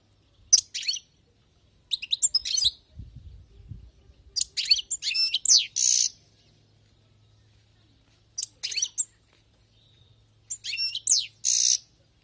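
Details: Wild-caught European goldfinch singing in bursts of bright, tinkling twitters and rapid chirps, each phrase a second or two long, separated by short silences, with a faint low hum beneath.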